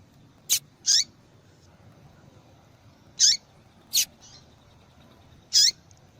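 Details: Female double-collared seedeater calling a lot to draw males' attention: brief, sharp, very high chips, some paired, spaced about a second apart, with quiet low background hiss between them.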